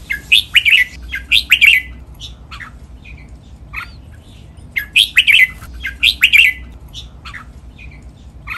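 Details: A captive red-whiskered bulbul gives Pa La-u style doubled song for copy training: paired bursts of loud, liquid warbling notes, each followed by softer scattered chirps, the pattern returning after a quiet spell.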